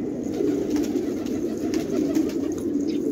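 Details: Fighting tumbler pigeons kept in a village at Khanabad, Afghanistan; a steady low murmur of many birds cooing together, with scattered sharp clicks and taps above it.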